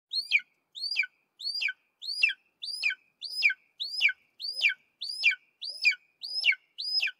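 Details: Golden eagle (Aquila chrysaetos) giving a steady series of twelve sharp, high yelping notes, each flicking upward and then sliding down, spaced about every 0.6 seconds against a clean, quiet background.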